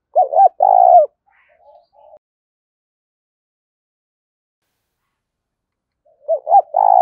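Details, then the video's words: Spotted dove in the 'gáy thúc' coo style: one full phrase of quick short notes and a drawn-out rolling coo, a few soft notes after it, then silence before the next phrase begins. "Tiếng chim cu gáy thúc cực đỉnh vang cả buôn làng"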